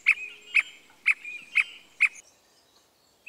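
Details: Costa Rican Squirrel cuckoo: five strong, clipped calls about half a second apart, then quiet, with soft whistles of other birds in the background.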